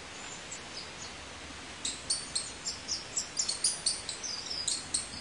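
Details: Red-capped manakin (Pipra mentalis) perched on a branch, giving sharp, very high, clipped chips in a quick series of about four per second after a quieter start; faint background hiss.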